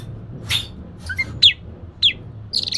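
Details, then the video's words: Oriental magpie-robin song played as a lure to prompt a lazy bird into singing: a few scattered sharp chirps and short downslurred whistles with pauses between, over a steady low hum. "Kacer malas bunyi❓Pancing saja pakai ini pasti nyaut ikut bunyi"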